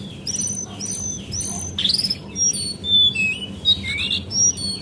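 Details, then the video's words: Female brown cingcoang (Lesser Shortwing) used as a lure to make birds sing: high, thin whistled notes slurring down and up, broken into short bursts, with one louder rising note midway and a low steady hum underneath. "PANCINGAN BURUNG CINGCOANG CEPAT NGEPLONG DAN GACOR!! - Jongkangan Coklat"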